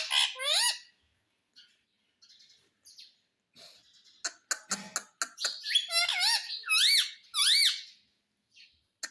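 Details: A pet talking parrot, said to say "mummy", gives shrill, rising-and-falling harmonic calls in short bursts, a pair near the start and a quick run of three or four later, with clicks and rustles between.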